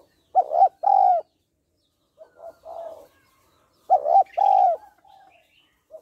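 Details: A female spotted dove calling to stimulate males gives soft, hollow coos in two phrases, each a short note followed by a longer drawn-out coo, with quieter murmured notes between.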